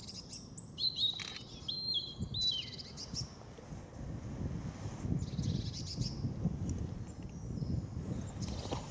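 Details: European robin song recorded in the Veerse bos woodland, dated 080314: a bright opening of high, thin whistled notes, several dropping in pitch, then quieter scattered high phrases over steady low rumbling background noise.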